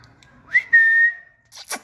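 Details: Green parrot kept as a pet, playing in a garden: one whistled note that rises sharply then holds level for about half a second, followed by a brief noisy rustle.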